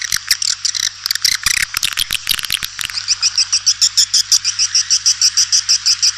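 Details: White-nest swiftlet lure call, a suara panggil recording played to attract swiftlets: dense high chirping twitters, then from about three seconds a steady run of buzzy chirps repeated roughly three times a second, with a low electrical hum beneath.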